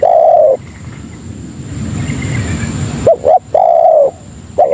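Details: Spotted dove (tekukur) lure call to bring in other doves: one long falling coo, a pause with low rumbling noise, then a quick double note and another drawn-out coo; faint steady high tone behind.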